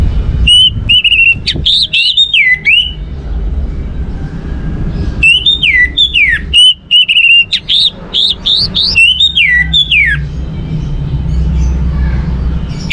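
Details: Song of an orange-headed thrush meant to get other birds singing: loud clear whistles, some held and some sharply slurred, delivered in phrases with pauses between, over a steady low hum.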